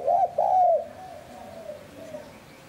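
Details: Spotted dove in the 'hạp bổi sát bổi' voice, used to lure wild doves, gives one loud coo phrase, two quick notes then a long warm note, trailing into fainter, distant-sounding cooing.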